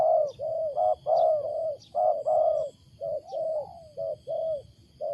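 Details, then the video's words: Wild spotted dove giving a quick, uneven series of loud hollow coos, some long and swelling, others short and clipped, about ten in five seconds, with faint high chirps from other birds. "BURUNG LIAR SUARA BESAR || MENGUKU NYA ANEH"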